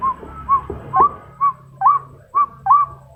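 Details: Female white-breasted waterhen calling to males with clear, whistled notes that curl upward, about two per second, over a faint low hum.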